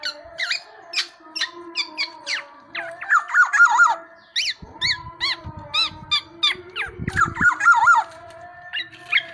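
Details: Tame black-naped oriole singing steadily. Sharp, high, clipped notes mix with mellow fluty phrases that wobble up and down, while faint steady tones and a low rumble run beneath.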